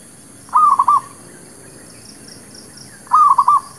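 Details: Lure song of a local zebra dove for trapping and settling new birds, two rapid rolling coo phrases of four or five clipped notes spaced about two and a half seconds apart, faint constant high-pitched hiss behind.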